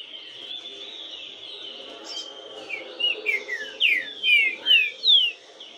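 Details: Green-winged saltator singing a rapid phrase of about eight bright, descending whistled slurs in the second half. Quieter chirps and a continuous high background hiss come before it.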